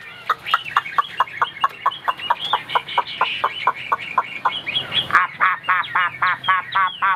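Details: Chinese hwamei, caged, white on wing and tail, singing on a high perch: a long steady train of short clipped notes, then a burst of quicker, rich harmonic chirps.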